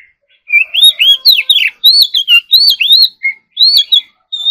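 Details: Oriental magpie-robin in morning singing practice, delivering a rich run of clear whistled phrases, rising and falling slides and quick twisting notes with short pauses between bursts, high and bright with no other sounds.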